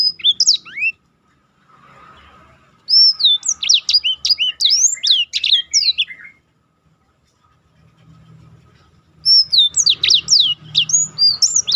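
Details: Black-throated canary singing a rolling song used as a tutor recording for contest birds: two bursts of quick, high whistled sweeps and slurred notes, separated by a pause with faint low background hum.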